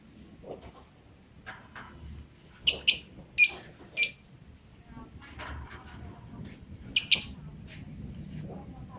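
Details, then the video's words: Very chatty lovebird: a series of three loud, screechy chirps about half a second apart, a pause, then a doubled shrill note, with soft clicks in between. "Burung Lovebird gacor bangat"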